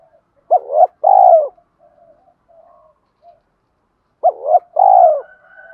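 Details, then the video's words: Spotted dove lure coos for calling in wild doves: two phrases, each a doubled short coo followed by a long vibrating purr, with faint quiet coos between them. "tiếng chim cu gáy kích bổi, cu gáy thúc và gáy gọi giọng hạp bổi"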